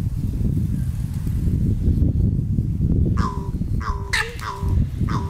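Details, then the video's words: Crows disputing peanuts at a territory border utter a quick series of short, downward-hooked cries in the second half, over loud gusting wind. "Corneille / Crow Fight on the border for peanuts ; postures, cries and attacks"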